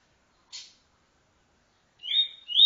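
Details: Double-collared seedeater, TuiTui-style encarte song. A brief buzzy note is followed after a pause by the start of a high, rising, slurred phrase. No other sounds.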